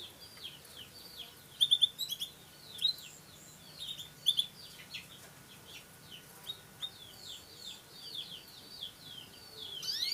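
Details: Songbird kept in the Indonesian bird-song hobby, offspring of a prized bird and a future champion; a long, steady, high twittering run of quick downslurred chirps with brighter sharp bursts early on, continuing for ten seconds.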